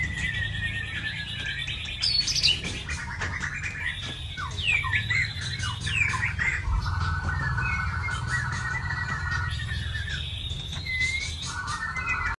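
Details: White-rumped shama singing: varied whistled phrases and sharp upswept notes, some sustained buzzy trills, over a constant low rumbling hum.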